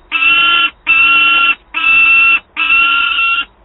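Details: Begging peregrine falcon youngster at Wałbrzych, 9 August 2022, calling its mother for prey; four loud, rasping, even-pitched wails, each lasting over half a second, spaced by short silences.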